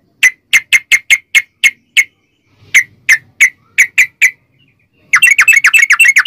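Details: Sooty-headed bulbul song used as a lure to get other bulbuls singing: a run of short bright notes repeated about four per second, a pause, another series, then a fast dense burst at the end.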